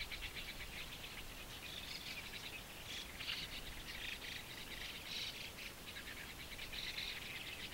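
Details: White-cheeked starling fledglings in Japan in early June 2015 beg around a shallow waterhole whenever adults bring caterpillars: harsh, raspy, buzzy bursts repeated about once a second over a soft hiss of outdoor noise.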